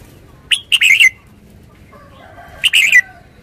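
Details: Red-whiskered bulbul giving two brisk, cheerful whistled phrases of three or four quick notes, about two seconds apart, with a faint lower warble in the gap.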